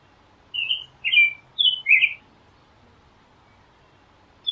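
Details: Song of an American robin, a short burst of four warbled, slurred whistles in quick succession followed by silence, then the start of another note at the very end.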